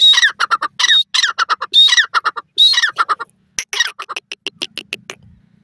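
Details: Female grey francolin giving a loud, grating series. Longer rasping notes alternate with quick clipped squawks for the first three seconds. Then come shorter, evenly spaced sharp notes that fade toward the end, with a soft low hum underneath.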